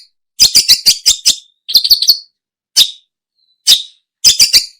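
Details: Long-tailed shrike, used for luring birds: quick clusters of harsh, buzzy chattering notes, alternating with single rasps and short pauses.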